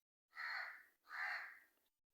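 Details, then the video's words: A black crow utters two long, rasping caws back to back, the second trailing off slowly. "Crow Sounds/Mystery Strange Sound BLACK CROW"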